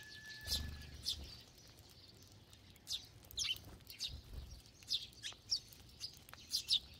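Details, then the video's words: Sparrows feeding together in a flock, giving short high chirps in scattered bursts, quiet stretches between them, with soft low thumps and a faint steady whistle-like tone near the start. "참새들의 합창"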